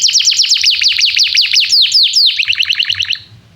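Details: Singing canary recorded as a lure for young canaries learning to sing: quick series of steeply falling chirped notes, about six per second, some louder downward sweeps mid-phrase, tapering to softer rapid notes before fading out.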